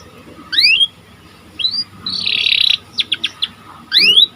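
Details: Panda canary singing in sparse phrases, a training recording: rising whistled slurs, a short buzzy burst, and a few separate sharp chips against a quiet background.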